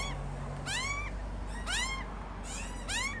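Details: Australian magpie young, two chicks in a tree crying for food; three hoarse, upward-curving harmonic wails spaced about a second apart against steady low hum.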